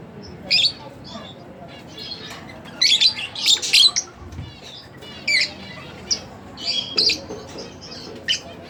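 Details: Pet split blue Fischer's lovebirds chirping: sharp, high squawky bursts come in irregular bunches, several close together around the middle, with quiet gaps between, over a faint low hum.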